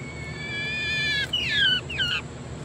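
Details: Female Coturnix quail, kept at home, singing her egg-laying song while laying an egg: a long steady harmonic note, then two quick falling, slurred notes, over a faint hiss.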